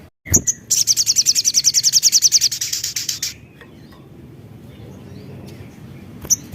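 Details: Javan cochoa song used as a lure: a loud, rapid, high buzzy trill lasting about three seconds, then near quiet with faint hum and a final sharp chip.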